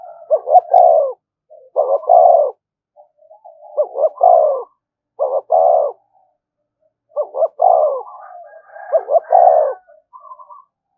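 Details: A decoy spotted dove cooing continuously to incite fighting. Six deep, burry coo phrases come at a steady rhythm over eleven seconds, each a brief clipped note then a longer rolling croo, with faint warbles between.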